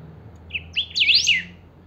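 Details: Kept saffron finch (chiviro) singing the 'pica' song style, used to rouse other chiviros into song: a short phrase of sharp, high whistled notes that sweep up and down, rising into a loud, fast slurred flourish before fading.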